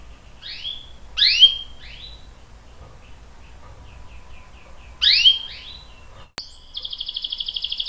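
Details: Canary in a recording meant to coax other canaries into song; scattered sharp slurred chirps in two clusters, then a fast, even, buzzy trill starting near the end.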